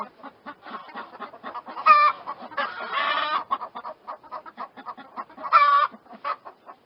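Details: Chicken clucking, brisk and continuous, with a harsh rasping burst in the middle and two ringing, harmonic squawks about three and a half seconds apart.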